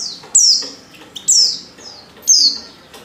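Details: Female white-eye in breeding condition calling to a male: three high, thin notes sliding downward, each about a second apart, with faint low background murmur.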